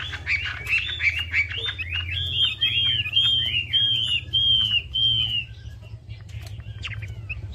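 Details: Chinese hwamei singing as a lure: a series of about ten similar slurred, looping whistles repeated at an even pace, then quieter notes, over a loud low humming background.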